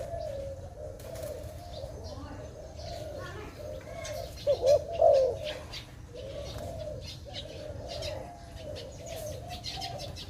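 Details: Dove recorded during forest bird trapping, giving a few short low coos in a quick cluster mid-recording over a steady low droning background, with faint ticking and scattered rustles.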